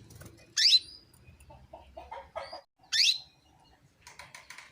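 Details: Calling female canary, used to prompt males to sing; two sharp upward-sweeping chirps about two seconds apart, separated by quieter pulsed notes and a faint buzzy rattle at the end.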